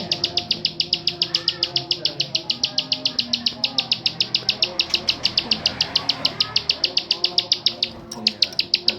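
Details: Bar-winged prinia, a kept songbird, giving a fast, even series of sharp high clicks, roughly three to four per second, running steadily with a brief pause near the end; faint chatter and murmuring sit low underneath.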